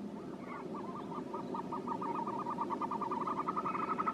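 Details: Rapid chain of short, hollow, identical notes from a Caspian snowcock, steadily repeated at about three per second and rising slightly in pitch toward the end.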